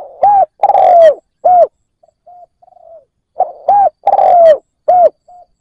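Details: Kept spotted dove used as a decoy to entice wild doves: two loud cooing phrases with arched notes and one long falling slur, with faint soft coos in the gap between them.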